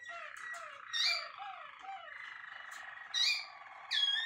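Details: Singing Malinois Waterslager canary, a contest first-prize winner; descending whistled glides, then a sustained bubbling water-like roll broken by louder bright chirped bursts.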